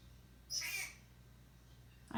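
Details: Talking pet parrot at home: one loud, raspy, caw-like utterance of about half a second with strong upper tones, then quiet room hum, and the start of another sound cut off at the end.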